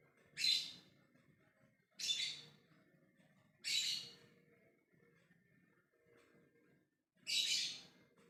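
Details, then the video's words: Lovebird calling out to other birds in the ngekek manner: four sharp, shrill, rasping bursts spaced roughly every one and a half to three seconds over a quiet, low background. "Love bird ngekek memanggil yg lainnya"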